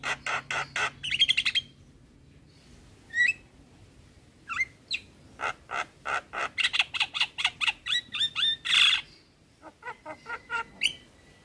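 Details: Javan myna singing actively on a tutoring track for caged starlings that also features other starlings: rapid raspy bursts, scattered sharp whistled slurs, then a long dense series of harsh clicking notes and clear whistles, ending in softer chips.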